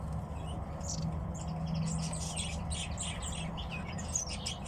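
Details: Several high, clipped chirps from kept tits, clustered mostly in the middle, set against a continuous low droning hum.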